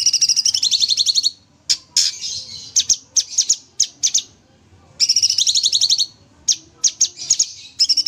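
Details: Sooty-headed bulbul kept in an aviary, singing actively: bursts of rapid, high buzzy trills lasting about a second, separated by pauses and short sharp chirps, with faint low background hum.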